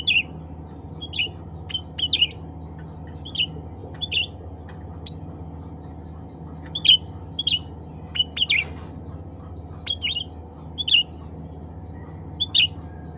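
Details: Black-capped bulbul, known as cucak ranting, calling to others of its kind: irregular single and doubled chirps with quick bends, sounding every second or so across the stretch, with a persistent low hum behind.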